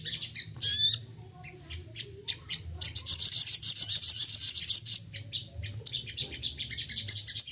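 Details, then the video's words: Crested jay calling excitedly, intended to trigger calling in other birds: a sharp whistled note, scattered chips, then a long fast trill of high, evenly paced notes, followed by sporadic chirps. "Sogon emosi nembak bertubi - tubi cocok buat pancingan bunyi dan naikan emosi"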